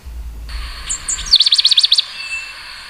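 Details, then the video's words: Pale-headed brushfinch phrase: a couple of thin, very high slurred notes, then a rapid, even trill of about ten sharp repeated notes lasting under a second. A steady faint hiss runs in the background. "O canto do Tico tico grisalho"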